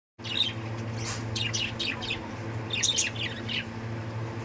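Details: White budgerigars chattering in quick, scratchy chirps and squeaky warbles over a low steady hum.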